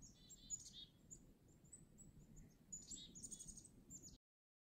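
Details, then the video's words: Black-capped Chickadees in winter at Devil's Lake State Park, heard while snowshoeing, give thin, high, scratchy notes in quick scattered bursts over four seconds, with a steady low rumble beneath. "Black-capped Chickadees"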